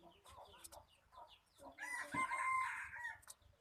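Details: Red junglefowl crowing: one strained, harmonic crow of about a second, rising then holding steady before breaking off. Softer clucks and scattered clicks come before it.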